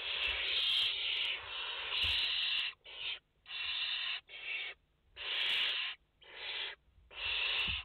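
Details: Barn owl chicks, five in the nest, live camera, 29 August 2021: almost continuous overlapping rasping hisses at first, then about six shorter hissing bursts in quick succession, several chicks calling at once.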